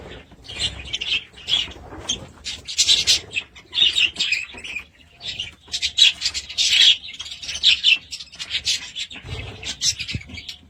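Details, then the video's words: Several budgies chattering in a long stream of high, scratchy chirps and warbles, rising and falling in intensity with brief lulls. "Budgies sound"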